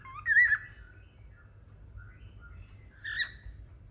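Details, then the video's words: Cockatiel from a pet pair in India singing: a clear wavering whistle, soft short notes, then a harsher rising call, with faint room hum beneath. "Beautiful cocktail with beautiful singing"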